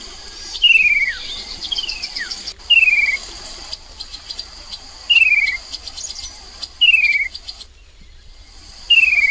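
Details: Chestnut-capped babbler used as a lure call, recorded in 2021 on the Mekong riverside at Nakhon Phanom, Thailand: five sharp, downslurred whistled notes, one every one and a half to two seconds, against a steady shrill insect drone.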